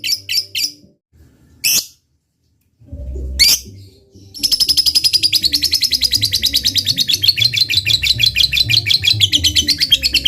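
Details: Fighter lovebird whose ngekek is used to provoke a rival: a few short chattering bursts and pauses at first, then a sustained fast trill of harsh pulses for about six seconds, with low background tones.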